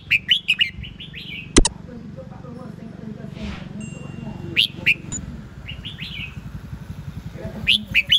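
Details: Red-whiskered bulbul song: bursts of short bright whistled notes in quick phrases, repeated several times, with softer warbled notes between and a sharp click near the start over a low steady hum.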